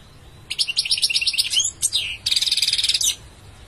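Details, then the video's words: Bright twittering goldfinch song, a quick series of rapid chirping notes, a short slurred whistle, then a dense buzzy trill lasting under a second. "Beautiful goldfinch singing"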